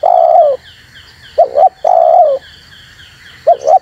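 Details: Spotted dove used as a decoy voice for catching wild doves: long wavering coos alternating with quick double coos, with soft high-pitched chirps faintly audible.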